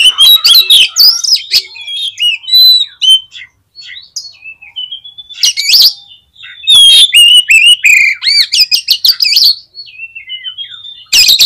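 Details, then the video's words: Song of an Oriental magpie-robin played to rouse other magpie-robins: loud, rich phrases of slurred whistles, trills and harsh chatters, split by brief pauses. "CUKUP DI PLAY 3 MENIT BIKIN KACER LANGSUNG EMOSI TINGGI !!! PASTI CEPAT ON"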